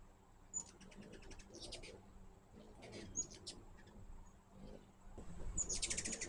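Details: At a backyard feeder, hummingbirds utter rapid strings of thin, high ticking chips in uneven bursts, ending in a dense buzzy chatter, over soft low background hum.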